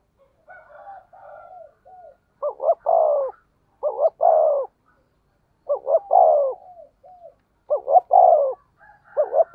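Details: Spotted dove call in the 'thổ sấm' voice, played as a lure for other doves. Soft wavering coos open, then four loud phrases follow about every two seconds, each with two clipped notes and a long sliding hoot.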